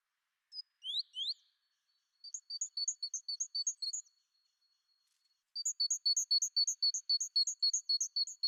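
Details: Great tit song for learning to recognise garden birds, Côtes d'Armor: two upward-slurred whistles, then bright two-note phrases repeated quickly in a steady series, a pause, and a longer run of the same ringing phrases.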